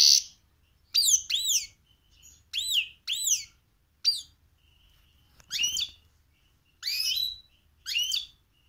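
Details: Goldfinch × canary hybrid (mixto) in a cage during cold weather, repeating arched, slurred whistled notes in pairs and singles at irregular intervals with quiet gaps, a song it learned when young.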